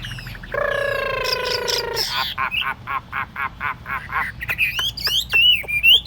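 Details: Caged Chinese hwamei on a table opens with a long harsh nasal buzzing note, then a series of short rasping chatters, ending in clear rising whistled phrases.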